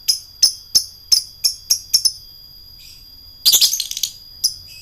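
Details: Lovebird ngekek meant to stir up rivals: a steady series of crisp, high chirps about three per second, then a pause and a dense shrill chattering burst, with a faint steady high tone underneath.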